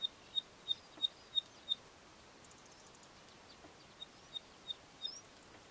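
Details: Grey-breasted southern race Neddicky giving its characteristic 'bicycle pump' call: six sharp, high, evenly spaced pips at about three per second, a short pause with faint chirps from another bird, then four more identical pips.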